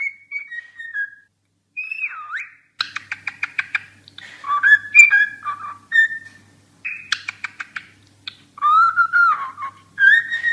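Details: Singing cockatiel giving varied whistles: a falling whistle, a deep U-shaped swoop, quick clicky stutters and warbled notes, then longer wavering whistles that end on a rising tone.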